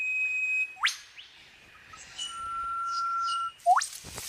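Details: Male Superb Lyrebird in an Australian forest copying a whipbird to impress a female: long pure whistles, each ended by a sharp upward whip-crack, twice in four seconds, over a quiet forest background.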